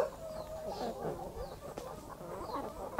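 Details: Morning in a backyard country flock, a hen with her chicks: dense, continuous low clucking and chattering with faint thin peeps above and a brief sharp knock.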